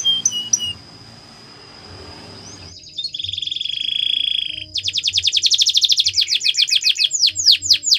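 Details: Canary song used for training: faint high chips at first, then a steady pure whistled tone, followed by a fast, dense trill that breaks into quick sweeping notes.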